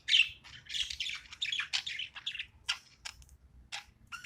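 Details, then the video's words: Pet budgerigar at play, quieter chattering warble with a few downward whistled notes, then sparse clicks and short chirps over a low background hum. "My cute budgie's playing time"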